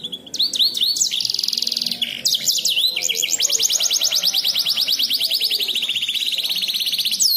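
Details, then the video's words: Canary singing a complex fancy song meant as a tutor for songbirds: whistled upslurs and a steady buzzy note, then a long fast trill of repeated high sweeps, bright and continuous. "KENARI MEWAH LAGU RUWET Untuk Masteran burung kicau"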